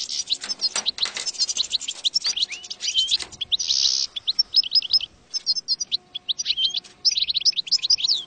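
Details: European goldfinch song used as a lure for trapping goldfinches: a fast, tinkling twitter of bright, high, liquid notes and short trills in busy phrases with brief pauses, broken once by a short hissing burst.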